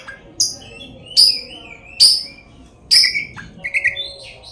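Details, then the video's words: Oriental magpie-robin singing as a lure to make other magpie-robins sing: sharp, piercing notes roughly every second, each trailing into a slurred falling whistle, ending in a few quick chirps. "kacer gacor full isian kacer gacor buka ekor pancingan kacer bikin lawan dijamin ampuh"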